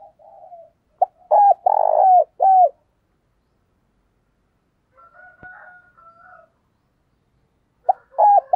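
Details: Decoy spotted dove calling keenly to provoke rival doves. A loud phrase of quick clipped notes leads into a rolling coo and an upturned ending. Faint softer coos and a single sharp click follow. A new phrase begins at the end.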